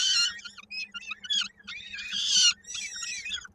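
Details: At a Koszalin peregrine falcon nest on 16 May 2022, a chick's foot stuck in a beak during feeding; shrill, piercing harmonic squeals, choppy at first then a long loud scream, over a faint hum.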